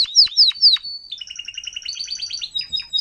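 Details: Timbrado canary, adult tutor singer for young birds: three loud descending swept notes, a brief steady whistle, then a soft even trill climbing in steps.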